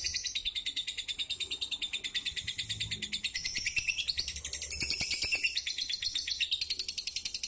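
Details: Caged Indonesian fighter lovebird from Pemalang, Central Java, sustaining a long, loud, shrill song of fast repeated chirps that grows denser and more rasping toward the end.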